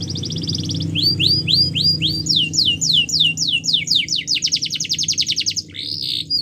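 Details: Canary singing a champion training song: a buzzy fast trill, then repeated falling whistles, shifting into rapid rolling trills of varied speed, with a steady low hum underneath throughout.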